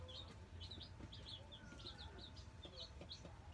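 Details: Black Australorp chicks, nine of them, newly arrived in a brooder: irregular high peeps and chirps, some rising, some falling, with a constant low background rumble.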